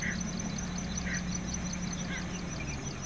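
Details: Greater painted-snipe male warning within his territory, Da-an sea shore, Taichung City, Taiwan, 6 April 2016, camcorder: a few soft hooting notes about a second apart amid heavy low background hum and high buzzing insects.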